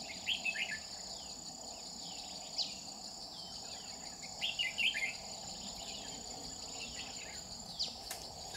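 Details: Bulbul trapping on 30 July 2019 with a red-whiskered bulbul of the 'Má lỡ' type; brief lively chirping phrases come in scattered bursts, partly masked by a continuous high-pitched insect buzz.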